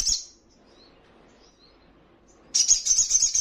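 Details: Little spiderhunter training song for caged birds: a short high note fades out, then a pause of about two seconds, then a dense high trill begins and continues to the end.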